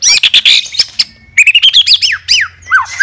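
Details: A fighter white-rumped shama sings to provoke rivals, pouring out harsh buzzy bursts, then a steady thin note and a string of clear whistled notes sliding up and down.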